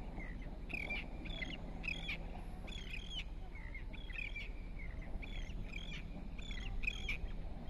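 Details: Long-billed curlew (Numenius americanus), call: short, rising whistled notes repeated roughly every second in loose series, over a steady low rumble of wind or distant traffic.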